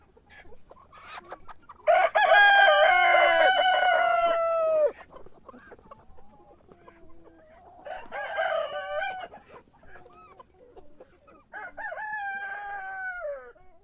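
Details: In the morning a rooster gives a loud crow of about three seconds, steady and harmonic with a falling end, followed by two fainter crows from more distant birds.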